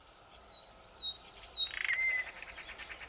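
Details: Thrush nightingale in Belarusian Poozerye, 2020, sings short pure whistles, then a quick clicking rattle and a drawn-out whistle, ending on thin high notes against a soft hiss.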